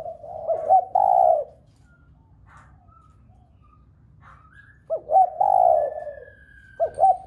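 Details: Spotted dove cooing to prompt other doves to call: a low phrase of short hoots ending in a long coo, a pause with faint distant chirps, then the phrase again and the start of a third.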